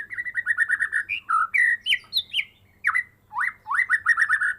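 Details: Caged Medan shama, raised from a fledgling and singing its full-repertoire gacor style after the first moult: opens with a quick trill of repeated whistles, then swooping slurs and upward-sweeping notes, bright and insistent.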